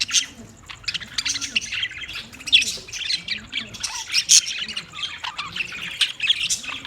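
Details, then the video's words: Budgies chattering in a dense stream of scratchy high squawks and chirps, overlapping without pause, with faint low rounded hums running underneath. "Funny Budgies Sounds"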